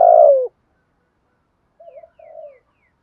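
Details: Decoy spotted dove with a good voice used to train cooing: one loud, drawn-out, gently falling low coo, followed after a pause by a much softer two-part coo.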